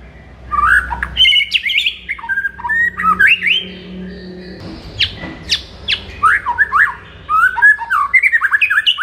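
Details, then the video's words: White-rumped shama singing in the morning, used to excite a kept shama: loose strings of varied whistles, chirps and upward sweeps with gaps between them. Faint low background noise runs underneath. "MASTERAN MURAI BATU DI PAGI HARI AMPUH UNTUK NAIKKAN EMOSI MURAI BATU ANDA"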